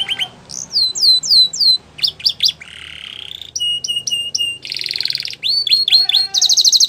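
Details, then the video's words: Belgian canary song made of swooping whistled notes in quick runs, a low buzzy roll, crisp repeated chips, a dense high rattling trill and descending slurs, delivered in fast changing phrases. "Belgian Canary Singing"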